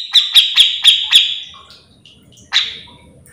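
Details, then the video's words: Grey-cheeked bulbul recorded to train other bulbuls: five loud, sharp notes spaced about a quarter second apart, trailing off, then one more note after a pause, over faint low background noise. "Cucak jenggot gacor full mbeset"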